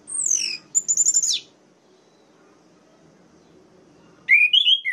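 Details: Song of an orange-headed thrush, used to make other males rage: a high descending whistle, a rapid trilled series, a long pause, then a lower warbled phrase of clear notes.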